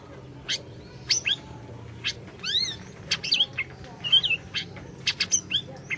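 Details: Orange-bellied leafbird in full song, recorded to coax a silent bird into singing. Bright high chips mixed with a ringing harmonic whistle, twisting slurred notes and quick clusters of clicks, uneven in rhythm.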